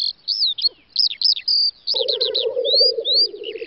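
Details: Lekking black grouse on a spring field in western Russia's Volga federal district, May 2019: loud high whistled and slurred notes from other birds dominate, then low rapid bubbling cooing rolls in halfway through.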